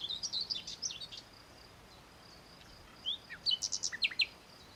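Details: Male common nightingale singing in search of a mate amid dense scrub; opening run of warbled notes, silence, then a loud series of piercing, steeply sweeping whistles at a quick pace.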